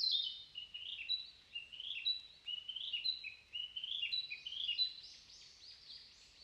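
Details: Morning forest with a narcissus flycatcher in song, high slurred whistles and short trilled notes tumbling in quick repeated phrases, the last notes rising higher, little else audible.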